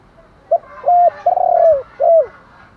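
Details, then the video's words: Spotted dove giving its morning luring call for wild doves: four mellow low coos, the third longest and wavering before it drops, the last briefly rising then falling, clean and close. "gay goi chim cu gay cu dat cu moi gáy gọi bổi buổi sáng, bổi nghe gáy liền"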